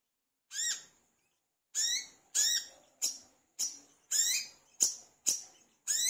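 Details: Vigorous olive-backed sunbird, used to coax other sunbirds into song, gives a single chirp, a gap, then quickening bright rising-falling chirps, eight more in about four seconds.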